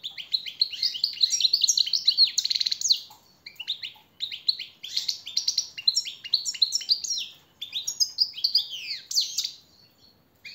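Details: European goldfinch, a master song bird used to motivate others, sings a fast, liquid twittering song of tinkling, buzzy notes in bursts of one to three seconds with brief pauses; nothing else is heard.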